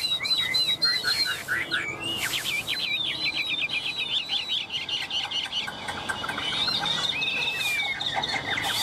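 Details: Tame Chinese hwamei held in the hand and teased, still singing boldly: rapid, high, twittering whistles in dense repeated loops, followed by softer rising and falling phrases, with a faint background hiss.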